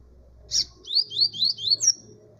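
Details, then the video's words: Double-collared seedeater singing: a sharp opening note, then a fast series of four or five clear, slurred whistles sweeping upward, ending on a higher thin note. "Olha o coleiro"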